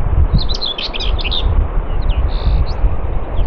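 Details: Common whitethroat singing at Morte Hoe, Devon, UK: a quick scratchy warble of jumbled high notes for about a second, followed by a few sparse chirps, over heavy low wind rumble.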